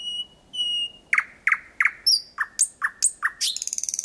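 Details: Night-singing thrush nightingale, Kiili parish, Estonia, May 2020, very close: two pure held whistles, then a run of punchy downslurred notes and a fast stuttering rattle at the end.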